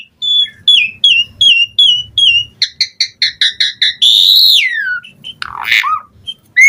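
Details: Asian pied starling song meant to lure starlings into replying: a string of short clipped whistles about three per second, quick stacked chirps, a loud rising-falling whistle and a scratchy rattle.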